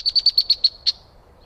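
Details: Backyard bird in Minnesota, recorded by a trail camera: a quick series of seven high, thin chirps about a tenth of a second apart, with a short pause before the last note, over a quiet background.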